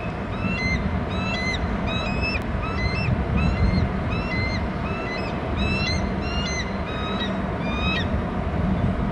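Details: Bald eagle chick calling at a Hornby Island nest as its father flies in with food, recorded by nest camera: steady series of thin, high whistled notes with clear overtones, repeated several times a second, over constant low wind rumble.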